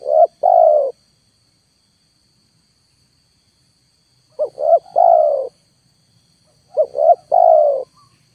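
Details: Spotted dove lure call at full volume for trapping, wild birds not descending: after a long silence, two phrases of two quick coos and a longer falling coo, with a low rumbling hum underneath.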